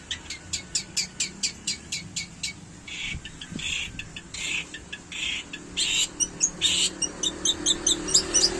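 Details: Long-tailed shrike imitating a canary, delivering rapid repeated high clicks and sharp notes interspersed with harsh noisy bursts in a fast irregular stream.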